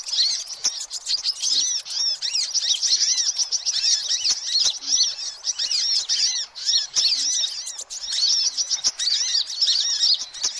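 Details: Sunbirds calling noisily, a lure recording meant to attract every sunbird type: a constant crowded chatter of sharp high chirps and arched twittering notes, with faint clicks and soft low ticks beneath.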